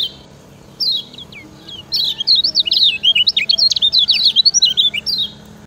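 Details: Lombok lemon-bellied white-eye singing a master song for training other birds: scattered high chirps build into a long, lively stream of quick, twisting whistled notes.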